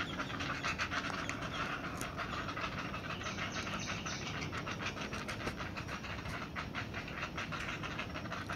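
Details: Young great blue herons at the nest before feeding time: a long, fast run of harsh clacking pulses, roughly three per second, somewhat irregular, over a steady hiss.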